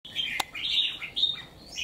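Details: Wild-caught bird kept three months in a cage, with one white claw, singing hard against a strong rival bird; short burst of bright warbled phrases, sliding and slurred, with a sharp click near the start.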